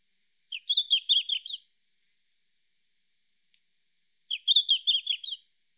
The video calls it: The Red-flanked Bluetail's Pleasant Warbling Song